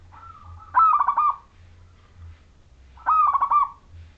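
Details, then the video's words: Zebra dove of the local wild Majapahit type, singing steadily as a lure to set other zebra doves singing: two cooing phrases, each a soft lead-in note followed by a rapid stuttering burst of mellow, throbbing notes. "Suara Perkutut Majapahit Lokal Alam Manggung Gacor Pancingan Untuk Semua Perkutut"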